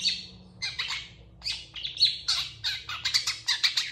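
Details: {'caption': 'Long-tailed shrike singing eagerly in reply to another shrike: a fast, varied run of chattering, buzzy and squeaky notes with short whistles, packed closely with barely a pause.'}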